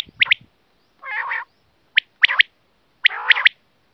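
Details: Quail voice used as a lure for hunting: sharp high paired notes, a short nasal buzzy burst, then more clipped notes in pairs and triplets with pauses between.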